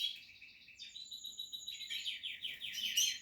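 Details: Nesting Portuguese harlequin canary, kept for breeding, delivers a clean rolling song: an even rapid trill of repeated notes, a sustained thin whistle, then a faster series of descending sweeps finishing loud and sharp.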